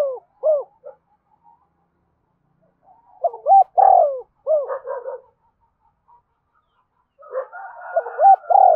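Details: Spotted dove, 'gáy thúc' coo meant to stir captive birds into calling along all day: overlapping phrases of stuttered hoots, long falling coos and short end notes, partly layered with a second fainter cooing voice.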